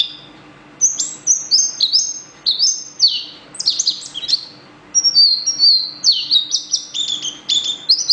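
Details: Song of a yellow bird, a lively string of high whistled phrases with sharp up-and-down slurs and short chirps, broken by two brief pauses, over a faint steady hum.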